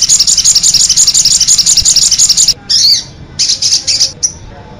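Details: Sogok ontong sunbird, konin-voice master song with full fill phrases used to train birds: a fast string of high chirps about two per second, then a pause and a few short scattered high bursts.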